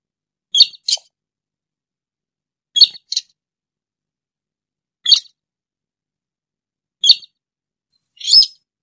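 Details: Rail, locally called sintar or burung tikusan, calling in a recording used as a lure for bird trapping; short, harsh, high squeaky notes, often in quick pairs, repeated about every two seconds with clean silence between.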